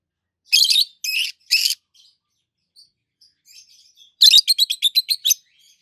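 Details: Pair of adult green peach-faced lovebirds, one red-faced, one with a yellowish white face, chirping: three harsh screechy notes, soft twittering, then a fast stuttering series of about eight sharp high chirps.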